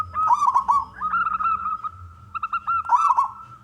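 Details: Male local zebra dove used to lure other doves into singing. Two bursts of stuttering, trilled cooing bracket a steady whistled tone broken by short, clipped notes.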